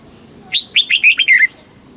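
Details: One short red-whiskered bulbul phrase in the southern Thai master style, for exciting caged birds and teaching chicks: five quick, sweet whistled notes stepping downward.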